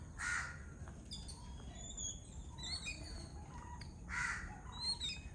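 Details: A flock of Yellow-billed Babblers eating coconut from a coconut shell. Two harsh, rasping bursts stand out, one near the start and one near the end, over scattered thin high chirps and a steady low rumbling background.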